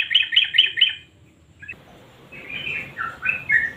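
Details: Yellow-vented bulbul used as a singing lure: four quick harsh chirps, a second of quiet, then softer warbled whistles fading in against light background hiss.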